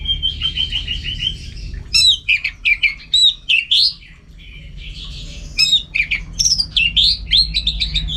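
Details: Caged orange-headed thrush delivering a rich rapid song: a stuttering trill, then loud rising and falling whistled phrases in quick succession, a short gap, and another burst of varied notes.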